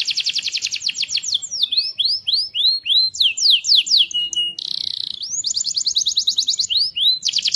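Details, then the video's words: Canary singing loudly day and night, a lively song used to prompt other canaries to sing: fast rapid trills of repeated notes, then rising upswept whistles and descending sweeps, a buzzy steady note, then more rapid trills. "Kenari Gacor Siang Malam Cocok Untuk Pancingan Paut dan Kenari bahan"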